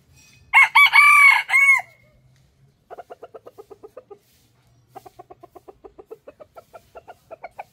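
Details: Rooster crowing: a loud, harsh, multi-part cock-a-doodle-doo of four linked bursts, followed after a pause by two long runs of short, evenly repeated clucks.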